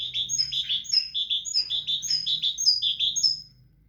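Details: Tit giving a sustained run of bright, high, repeated two-part notes at a steady, fast tempo for about three and a half seconds before falling quiet.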